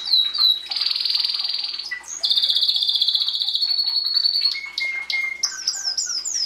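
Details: Belgian canary singing in the 'bagassando' style, recorded in 2016 and meant to encourage chicks in the breeding season. A varied, continuous run of high rolling trills, buzzy sustained passages, short falling whistled notes and lower steady tones.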